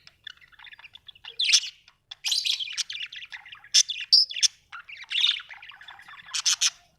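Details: Budgerigars at home chattering steadily: quick ticking chirps, squeaky whistles and harsh buzzy notes in a lively, uneven stream with loud peaks throughout.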